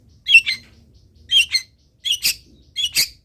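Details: Long-tailed shrike song used as a training model: paired harsh, scratchy notes given in four spaced doublets over a few seconds.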